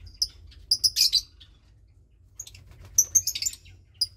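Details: Roughly 20-day-old lovebird chick, one of two in a nest, offspring of Parblue Turquoise and Euwing Blue Opaline parents: clusters of high squeaky chirps early, a pause, then a quick run of sharp tweets, over a low hum.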